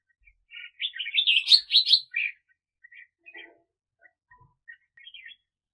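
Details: Red-whiskered bulbul kept as a decoy for trapping wild birds, 2021 season: a loud burst of quick warbled, chirping notes, then softer scattered single chirps trailing off.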